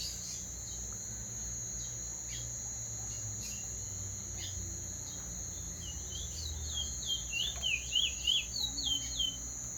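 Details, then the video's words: Teacher bird rolling song: a quick run of high, down-slurred whistled notes in the second half, following a stretch of steady high hum with faint ticks. "teacher bird singing clean roll"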